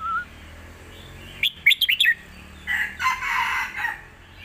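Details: Competition Red-whiskered bulbul master song, played to teach young birds: a quick string of bright whistled notes mid-clip, followed by a loud, harsh, broad burst of another sound over steady background noise.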